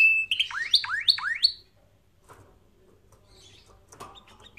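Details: Canary song for training birds: a brief high whistle followed by three fast downward-swooping notes, then near silence with faint clicks and rustles.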